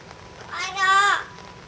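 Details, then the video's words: A yellow-naped amazon at a zoo in Japan, recorded in July 2011, gives one loud, voice-like "waaah" shout lasting under a second, rising then falling, over a steady hiss like light rain. "キエリボウシインコ「わあああーーー！！！」Yellow-naped Amazon shout !!"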